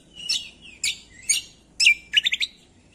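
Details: Greater green leafbird song used as a training master to provoke reluctant songbirds into singing: sharp descending chirps and buzzy notes, ending in a quick run of four rising whistled notes, over faint background hum.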